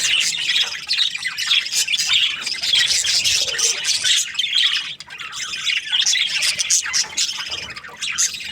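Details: Several breeding pairs of budgerigars produce a busy chorus of high chirps, squawks and warbled notes that overlap without pause, easing briefly around the middle before swelling again.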